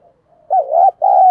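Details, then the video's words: Spotted dove calling to spur a fight: a faint soft coo, then a wavering, rising double coo and a long, steady, slightly falling final coo note. "cu gay kich boi nhanh noi gù. cu gáy thúc đấu"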